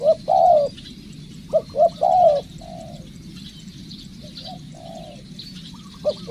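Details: Spotted dove under decoy training delivers loud coo phrases of short notes ending in a drawn-out coo, several in quick succession, with quieter separate coos in between over distant high bird chatter.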